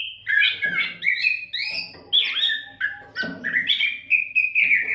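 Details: Oriental magpie-robin pouring out unbroken song as a model for other songbirds: fluid slurred whistles and warbled phrases in quick succession, ending on a sustained wavering note.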